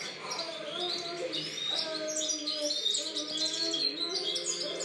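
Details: European goldfinch song recorded in 2013, lively high-pitched twittering and sharp tweets pouring out continuously, over a softer bed of lower sliding tones.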